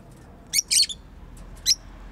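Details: Pet bird giving a short burst of two or three high, sharp chirps, a faint pair of notes, then one more crisp chirp.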